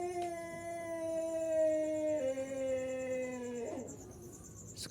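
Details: Close of a long crow from a six-month-old Pelung rooster in training: a steady tone gliding gradually lower with one small step down, ending in a short wavering break.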